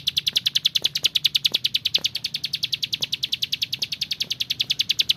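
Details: Bar-winged prinia in frequent song, recorded as tutoring material for training other birds: a rapid rattle-like string of piercing high chips, close to eight per second, running evenly for five seconds with faint clicks in the background.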